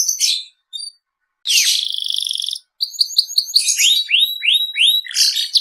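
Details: Canary song beginning with scattered chips and a pause, then a loud buzzy rattling trill, followed by quick high chirps and a run of sweeping upslurred whistles, ending in a harsh burst; no background noise.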